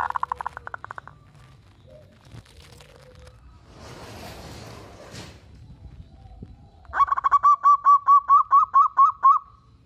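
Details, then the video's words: Local zebra dove in full song, said to draw answers from other zebra doves: a brief burst of rapid notes, then rustling and handling noise, then about ten loud, evenly spaced cooing notes in a fast run. "Perkutut lokal gacor bikin semua perkutut kepancing bunyi dan langsung NYAUT!!!"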